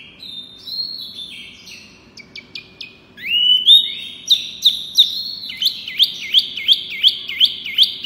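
Wambi giving clear, high whistled notes: a few thin slurs and quick chips, then a steady run of looping whistles about three per second.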